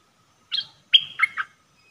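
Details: Red-whiskered bulbul decoy bird for trapping, 'dok taeng' song recorded 1 September 2021: one upslurred note, then a bright held whistle sliding down into two lower warbled notes, all within a second.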